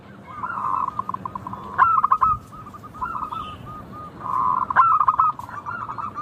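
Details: Local zebra dove singing in clear tone: a long, warbling trill run leads into a sharp burst of quick coo notes, and the sequence comes round again after a few seconds.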